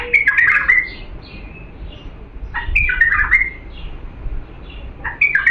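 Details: Pure Diyala bulbul song for training fledglings: two loud, fluty, gurgling phrases separated by a quieter gap with thin high slurs, ending with the start of another phrase; low rumble underneath.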